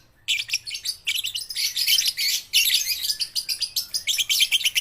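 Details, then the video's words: Young lovebirds, kept birds, used to stimulate quiet lovebirds to sing: dense, high, scratchy chattering of rapid chirps, in bursts with brief pauses, continuing through the recording. "pancingan lovebird balibu - Lovebird paud belajar bunyi"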